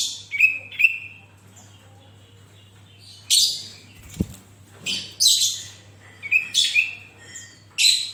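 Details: Lively Sooty-headed bulbul singing, used to make other bulbuls sing: paired whistled notes and scratchy bursts repeated across eight seconds, one brief low thump midway, constant low hum.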